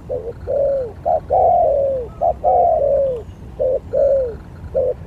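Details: Spotted dove used as a lure bird in a skill contest, giving low hoarse cooing phrases: short clipped coos followed by longer drawn-out falling coos, repeated in a steady pattern with a quiet background.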